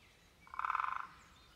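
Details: A great spotted woodpecker drums on a nest box. About ten quick knocks in roughly half a second build into a resonant, tonal rattle, then stop abruptly. No other sounds are clear.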